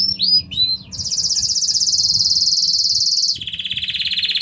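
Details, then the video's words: Singing intense yellow Belgian canary: a few quick upswept chirps, then a long, very high rapid trill, dropping suddenly to a lower pulsing roll. "CANÁRIO AMARELO INTENSO CANTANDO MUITO!!!"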